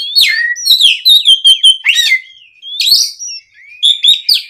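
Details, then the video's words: Oriental magpie-robin in loud afternoon song, used to lure other magpie-robins into answering: rich, varied phrases of clear whistles, sliding notes and short buzzy trills, several bright notes repeated in quick succession, with brief pauses between bursts. "SUARA PIKAT BURUNG KACER GACOR NGEPLONG SORE, MEMANCING KACER BAHAN AGAR LEKAS BUNYI NYAUT & GACOR!"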